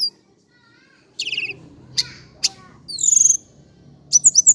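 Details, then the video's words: Indigo flycatcher from Java giving scattered high buzzy chips and short trills, a rapid descending trill near the middle, and a final cluster of quick twisting chirps over a faint low hum. "KICAU BURUNG TLEDEKAN GUNUNG JAWA/SIKATAN CACING"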